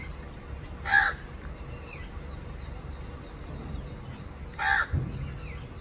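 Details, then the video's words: Looking around and calling its partner, a crow gives two hoarse caws roughly four seconds apart, separated by a constant low background rumble. "Inseparable Crow (raven)Looking Here And There And Calling His Partner"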